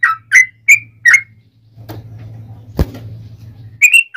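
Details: Yellow-vented bulbul fighting song meant to draw replies from other bulbuls; a few short bubbly whistles, then a stretch of low rumbling noise with one sharp knock before the whistles resume.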